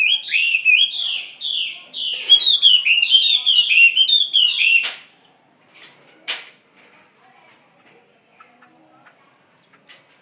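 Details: Chinese hwamei, caged, delivering about five seconds of fast, rich looping whistles, followed by near silence broken by a few sharp clicks.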